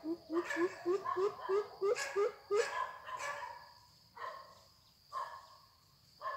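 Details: Greater coucal used as a trapping decoy, a young bird practising calling to draw in wild coucals: a fast string of deep, evenly spaced hoots followed by loud rasping, hissy bursts with pauses between.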